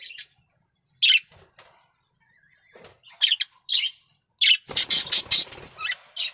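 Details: Breeding-condition male budgerigar giving scattered sharp chirps and short squeaks separated by pauses, then a closing burst of rapid harsh chatter.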